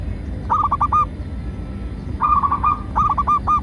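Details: Local zebra dove cooing, played to lure and train doves: two quick bursts of four or five bubbling, evenly spaced coo notes, separated by a second of quiet, with a low steady hum beneath.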